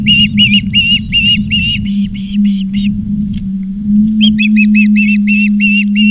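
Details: Osprey at the Charlo, Montana nest, 17 August 2023, 16:04, recorded by live camera: rapid strings of shrill, even whistled chirps, a short break, then another quick burst, with low hum beneath.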